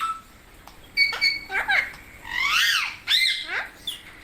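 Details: Parrot voice: bright, harsh, rising-and-falling harmonic squawks, with a longer raspy call in the middle followed by a few quick downward-sweeping notes.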